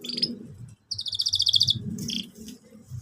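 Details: Canary singing in the cuit cuit style, a model song for young learners: a short clear rapid trill of evenly spaced high notes, with scattered brief chirps over a low rumbling background.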